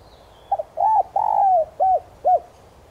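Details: Spotted dove decoy cooing in the standard 'son' voice to draw in wild birds: a hiccuping opening note, an arched coo, a long sliding downward coo and two closing rounded hoots over a quiet background.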